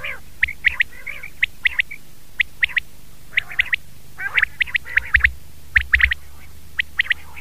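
Common quail giving sharp, liquid, high notes in quick groups of two or three, repeated every second or so, over a low steady hum and some rougher squawky calls.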